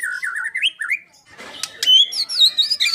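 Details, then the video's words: White-rumped shama, 'gacor full tembakan' singing, giving wavering whistled phrases interrupted by a brief noisy rustle, then rising, looping high notes. "kicau murai batu gacor full tembakan"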